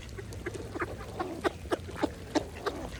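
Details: Mallard ducks feeding at a pond give a rapid series of short, nasal quacks, about eight in three seconds, growing louder toward the end over soft water ambience.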